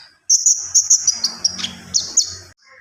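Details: Javan pied starling in energetic song full of varied fill-in phrases: sharp, high whistled notes and shrill chatters in quick succession over about two seconds, with a brief buzzy descending note near the middle.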